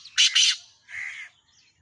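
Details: A black francolin gives two loud, rough, grating notes back to back, followed by a quieter drawn-out rasping note.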